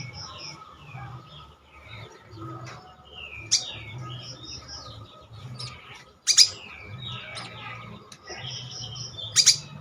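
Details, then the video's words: Sogon bird singing vigorously, a sequence of varied sharp chirps, short downward whistles and brief buzzy notes at scattered intervals, with a few loud clipped bursts and a faint low hum underneath. "SOGON SUPER GACOR"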